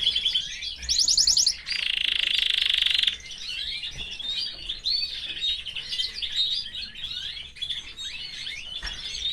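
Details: Canary kept in a cage with its family sings a quick rattle, then a loud, dense buzzy trill, followed by a long run of varied, quieter twittering notes.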